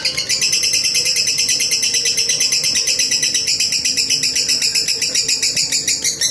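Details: Long lovebird trill from a master recording: an unbroken, very fast stream of high buzzy notes pulsing evenly for over six seconds at steady loudness.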